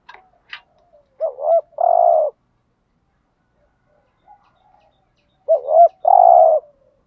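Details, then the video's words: Urging 'thúc gù' coos of a spotted dove, played to attract wild doves: two phrases a few seconds apart, each a quick doubled low hoot ending in a drawn-out mellow coo, with a brief click near the start. "Tiếng chim cu gáy THÚC GÙ bài bản giúp bổi nhanh nổi/ bổi nghe xiêng gáy cả ngày"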